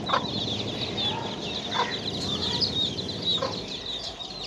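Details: Chicken chicks playing make a steady stream of faint high peeps over a background hum, with occasional short lower notes.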